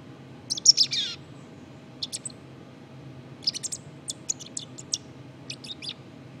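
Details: Subsong from a black-capped chickadee: an opening burst of buzzy high notes with a falling slur, followed by sparse, irregular high chips and twitters.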